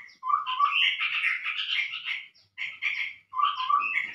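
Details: Several bursts of chattering from the chestnut-rumped babbler, used as a lure call: rough, scratchy phrases over low whistled notes, separated by brief silences.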